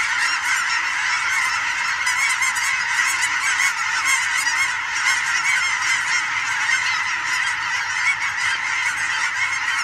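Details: Huge flocks of migrating geese flying over on a fall evening in Oregon, mixed with sandhill cranes; a dense, continuous chorus of overlapping honks and calls from many birds, steady throughout with no pauses.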